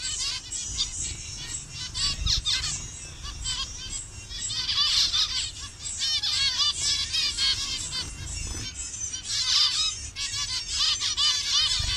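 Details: A Bangladeshi captive colony of colour-variant zebra finches keeps up a long, busy chorus of nasal harmonic calls, rising and falling in intensity with occasional low knocks.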